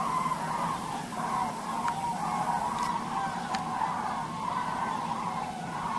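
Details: Common crane flock flying over North Rhine-Westphalia, Germany, on 28 November 2010: a continuous chorus of overlapping, rolling trumpeting calls from many birds, steady throughout, with a few faint clicks.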